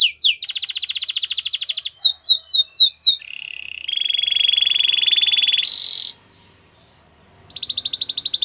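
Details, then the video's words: Training song of a Belgian canary for a bird that does not sing: quick high trill, a run of sharp falling notes, long low buzzing and steady rolls, a louder burst, short silence, then rapid trilling again. "Your Canary Is Silent, Turn It Around So It Will Sing Along | Belgian Canary Singing"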